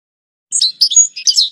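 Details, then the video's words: European goldfinch giving a brief, high-pitched tumble of liquid twitters and chirps with one clear whistled note in the middle. "canto chardonn"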